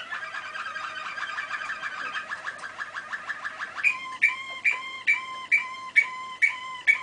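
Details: Malinois waterslager canary song from 2013: a fast rolling tour of rapid pulses, then a clear bubbling phrase of evenly spaced water-like notes repeated about every half second.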